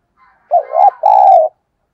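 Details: Spotted dove cooing as a lure to call in other doves: a single phrase, a short dip-and-rise note then a sustained even coo about half a second long, in otherwise silent surroundings.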